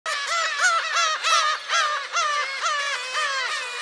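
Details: Black-tailed gulls heard at a shrine on Friday, July 10. Many birds give overlapping, mewing, cat-like calls that rise and fall. The calls form a dense, continuous chorus with roughly two notes per second.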